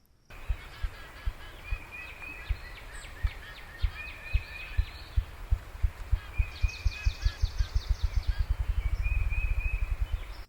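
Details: A ruffed grouse drumming on a hollow log in June woodland: deep, muffled thumps that start slow and speed up into a rapid whirring roll, faint behind high, bright songbirds such as ovenbird and a thrush.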